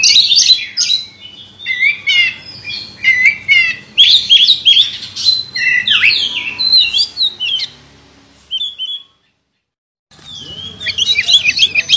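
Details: Champion contest oriental magpie-robin with a record of wins delivers a rich, rapid run of whistles, chirps and buzzy trills, phrases tumbling together, then a short sweet note, a silent pause, and renewed song over faint background noise.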